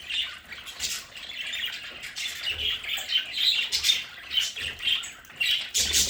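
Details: Several pet budgerigars in their home play area give a dense, continuous warbling chatter of scratchy chirps and squeaky notes, rising and falling in bursts about twice a second.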